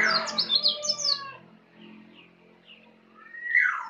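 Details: Young Bali white-eye from Bali practising the ngeplong song style: a burst of rapid high downslurred twitters in the first second, then softer scattered chirps and a rising whistle near the end, over a low hum.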